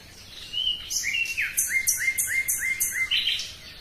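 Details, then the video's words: Common nightingale singing a brisk phrase of repeated loud, clipped notes, roughly three per second, introduced by a few varied whistles and ending in a quick flourish. "Пение соловья"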